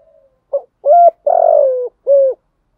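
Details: Cooing of a spotted dove, played in the training of decoy birds to provoke answering calls. The tail of an earlier note is followed by a short pip, a flat hoot, a long hoarse falling coo and a last arched note.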